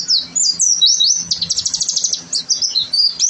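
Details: Oriental white-eye tutor song in 'gacor' style: fast, high, warbling chirps sweeping up and down, then a quick stuttering run of short notes and more twittering phrases.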